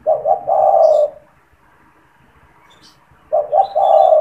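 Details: Spotted dove kept in a cage, cooing often, especially with people near its cage, used to lure wild doves; a long mellow coo, a pause, then another phrase of two quick notes and a drawn-out rolling coo.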